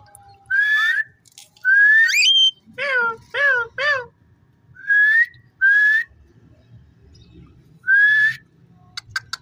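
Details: Pet ring-necked parakeet talking: short rising whistled phrases alternate with a run of three wavering, harmonic speech-like notes, then more rising whistles after pauses, a few sharp clicks at the end and a faint low hum beneath.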